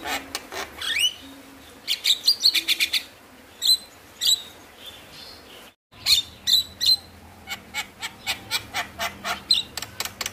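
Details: Javan myna song intended to stimulate lazy mynas: bursts of harsh chatter and clustered sharp chips, a short silent break, then an evenly paced string of thin, clicking notes continuing to the end.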